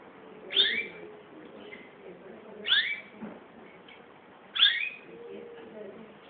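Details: Kept songbird belonging to the owner's father-in-law, singing: short bright whistled phrases, sliding down then up, repeated about every two seconds over a steady murmur of background noise.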